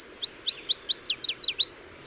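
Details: A Northern Waterthrush sings on arrival at its breeding site in spring: about nine loud, ringing, sharply slurred notes that speed up and drop slightly in pitch toward the end, over a quiet background.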